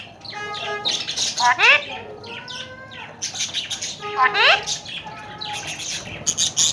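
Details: Tame Alexandrine parakeets in Pakistan, kept as talking birds: flat, nasal, speech-like tones mixed with two sharp, rising, harmonic squawks about three seconds apart, and scattered higher chatter throughout.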